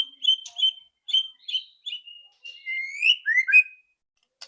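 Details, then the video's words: White-rumped shama, loud rattling song meant to prompt quick singing; clear whistled notes, then rising and falling slurred whistles, ending in a click. "PANCINGAN MURAI BATU AGAR CEPAT BUNYI ketrekan keras murai batu"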